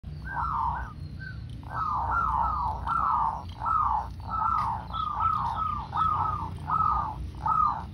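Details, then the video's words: Local zebra dove, a loud lure bird used to draw other doves into calling, giving a series of soft, rounded cooing notes near one pitch, repeated about once each half-second in pulsing bursts over a low background hum. "Perkutut lokal gacor suara besar cocok untuk pancingan - PERKUTUT SUARA KUNG"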